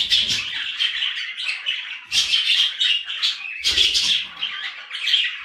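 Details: Budgerigars in a glass birdcage warble a continuous stream of chirps, squawks and scratchy chatter; budgerigar.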